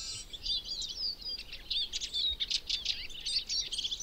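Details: Spring flock of Eurasian siskins roaming alder and birch forest in Berezinsky Biosphere Reserve, Belarus: close, loud, rapid twittering song of high chirps, trills and short slurred whistles, pulsing in busy bursts with no break.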